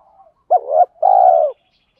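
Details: Spotted dove cooing in a training recording of male and female doves used to stimulate birds to call: a short, rising first note runs straight into a longer, steady low coo, with faint murmuring before and after.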